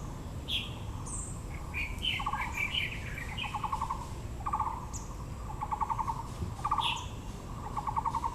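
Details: Taiwan blue magpie calling at Yangming Park, Yangmingshan National Park, Taipei, among azaleas: short, harsh, rattled bursts repeated roughly every second, mixed with higher, thin chirps and whistles from other birds over a steady low background rumble.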